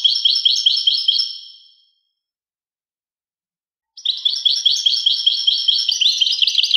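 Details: European goldfinch with fast, jingling twittered notes that fade out, then after about two seconds of silence a fresh burst of bright chattering song.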